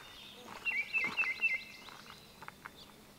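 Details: Baltimore oriole (Icterus galbula), song.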